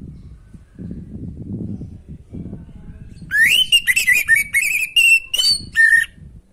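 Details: Orange-headed thrush singing naturally and continuously, played to stimulate a caged bird lacking breeding drive. Low rumbling background for three seconds, then a burst of clear, loud whistled phrases with rising and falling slurred notes and sharp high accents.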